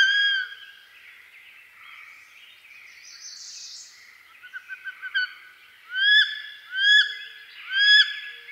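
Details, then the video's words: Wood duck (Aix sponsa) of eastern North America giving three loud, rising, squealing whistles about a second apart, after a quick run of short clipped notes, over a faint background hiss. "Wood Duck Sound"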